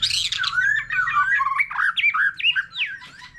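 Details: Mature white-rumped shama from the wild, singing a solo of varied voices next to a laughingthrush: a dense, jumbled stream of quick warbled and whistled slurs with no pauses.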